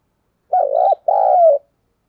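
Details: Spotted dove decoy call used to lure wild doves: two clean, low hooting coo notes, the first wavering, the second longer and gliding slightly down, heard against total silence.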